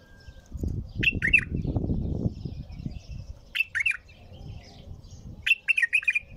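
A bulbul sings short, bubbly phrases of two to four bright, slurred whistles, repeated every two seconds or so, over low rumbling and fluttering noise.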